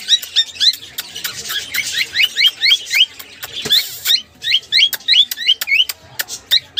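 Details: Cockatiel that replies to sounds gives rapid bursts of short, upward-sweeping chirps, several a second, grouped in quick runs separated by sharp clicks and brief pauses.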